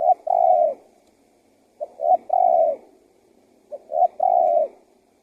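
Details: Spotted dove decoy calling for wild doves, three phrases of short rising notes followed by a long falling coo, repeated about every two seconds.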